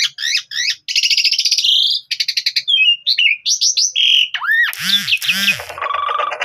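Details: Javan pied starling singing a long, loud phrase as a tutor recording for other starlings to learn: rapid trills, buzzy rattles, sliding whistles, harsh arched squawks and a flat rasping note, nearly continuous.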